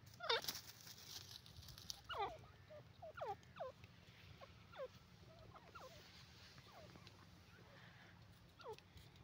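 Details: Grey francolin, known locally as dakhni teetar, calling with a run of repeated, harsh, downward-slurred notes in quick bursts over steady background noise, with a few louder phrases standing out.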